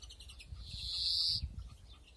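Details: Drawn-out buzzy wheeze from a European greenfinch in a breeding aviary, 2021, with several nests. A single sustained nasal note, slightly rising, lasts about half a second after brief soft twitters, with low rumble underneath.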